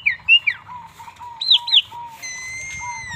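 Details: A bald Asian pied starling gives sharp, bright whistled and squawky notes in short bursts. A soft, low whistle repeats steadily in the background, and a sustained tonal sound enters near the end.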